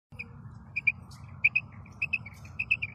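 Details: Female common quail (Coturnix coturnix) calling, possibly at night, gives short, high chirping notes, mostly in quick pairs about every half second, over a steady low hum.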